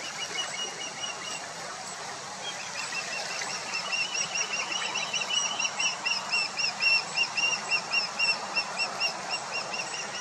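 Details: Osprey nestlings talking to each other in their nest; rapid series of high, whistled chirps that grow louder and more regular in the second half, over a steady rushing background.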